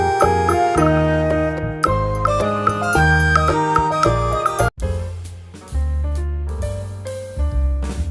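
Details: Lively instrumental music with piano-like notes and a brief break near the middle, and no animal voice.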